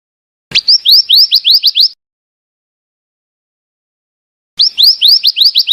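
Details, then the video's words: Two bursts of rapid, evenly spaced rising whistles, about eight notes each, from a female scarlet minivet, with roughly two and a half seconds of silence between them. "suara burung bara api bertina"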